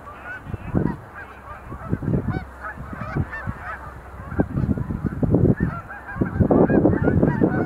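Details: Many sandhill cranes in a display dance at Montezuma National Wildlife Refuge visitor center, November 2020. Their rattling, trumpeting calls overlap steadily, and loud low thumping bursts come and go.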